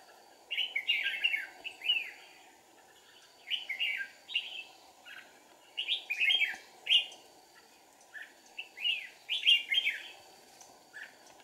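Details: Decoy red-whiskered bulbul singing during deep-forest trapping: repeated short phrases of bright, bubbling, slurred whistles, each burst about a second long with brief gaps, several phrases across the recording, some overlapping as if a second bird answers; low background hum.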